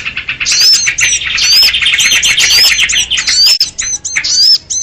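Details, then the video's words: Agitated flock calls of sooty-headed bulbuls used as a trapping lure for small birds, called kutilang ribut: rapid chirps and clear downslurred whistles in bursts, with short gaps near the end. "SUARA PIKAT BURUNG RIBUT || KUTILANG RIBUT || UNTUK PIKAT BURCIL"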